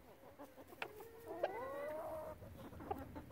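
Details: A chicken in a relaxed flock gives one long, smooth, slightly rising crooning note, framed by a few soft clucks and faint background murmur.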